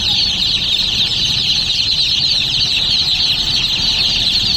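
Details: Many baby chicks chirping together, a constant high-pitched mass of overlapping peeps with no pauses, over faint low background hum.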